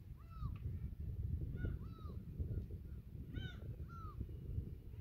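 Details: Gulls at Yedanpo harbour on Yeongjongdo, by tidal flats at sunset on 15 June 2023, give short, arched mewing calls in loose pairs every second or two over a low rumble of wind and harbour noise.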